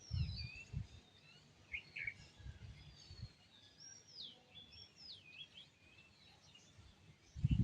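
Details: Birds chirping at sunrise: high, looping whistles and sliding chirps from several birds repeat throughout, interrupted by bursts of deep rumbling thumps at the start and end.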